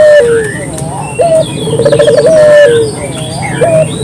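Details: Clear lure call of a local puter dove: a falling coo, then a short rising note, a rapid rolling trill and a drawn-out sliding coo. The pattern repeats, over faint twittering birds.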